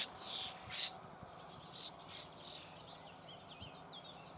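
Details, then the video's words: Common starling chicks in a nest hole being fed, Eifel near Büchel, Germany: a few short, harsh, hissing bursts, soft and spaced out, over faint background noise. "Star füttert Junge in Bruthöhle"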